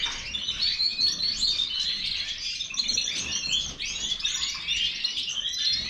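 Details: European goldfinch of the Major type delivering a quick, unbroken warble of sharp tinkling chirps and scratchy trills, steady in loudness throughout.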